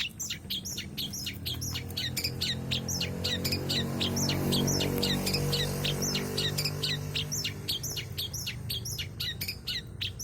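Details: Long-tailed shrike in full, energetic song packed with varied fill phrases, used as a lure. Rapid sharp chirps repeat about twice a second for ten seconds over a steady low hum.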